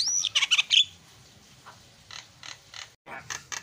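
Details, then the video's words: Javan myna (jalak kebo) song used as a master recording, with 'isian' fill phrases: a loud burst of harsh chattering notes and a high whistle, then fainter raspy notes repeated at uneven intervals. "KICAUAN JALAK SUPER MANTAP"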